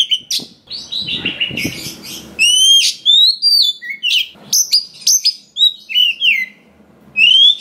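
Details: Oriental magpie-robin, a wild-caught bird, singing a varied song used to prompt other magpie-robins to sing: bright whistled slurs and sharp chirps, alternating with short pauses, plus a brief rustling noise near the start.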